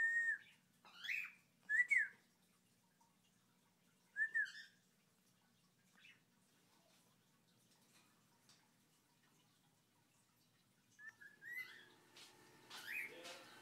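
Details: A pet white cockatiel whistles in short, bright bursts, with a squawky, noisier phrase near the end.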